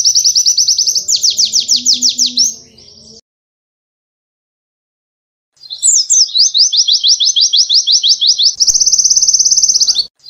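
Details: White-eye as a cage bird delivering tutor song for training: long bursts of very fast, even high trilling, separated by a silent gap of about two seconds, then trilling resumes with a shift in pace.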